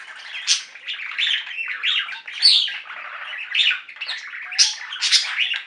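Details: Steady chattering from a flock of pet budgerigars indoors: overlapping warbles, chirps and harsh squawk-like notes without a break.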